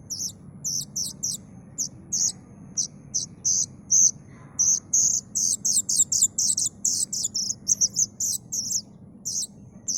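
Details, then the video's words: Plaintive cuckoo chick making sharp, high buzzy notes. They are spaced at first, then crowd into a faster, denser run in the second half. A quiet low hum runs behind them. "suara anakan burung kedasih"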